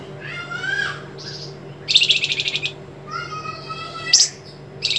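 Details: White-rumped shama master song with sharp trembling style; long rich whistles alternate with short dense buzzy rattles and a sharp high note, steady low hum behind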